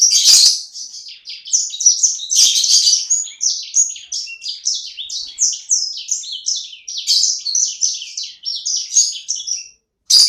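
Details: Pet sanger bird, a small one singing actively, delivering a rapid, continuous stream of high chirps and short buzzy twitters with brief pauses, loud and close in a quiet setting.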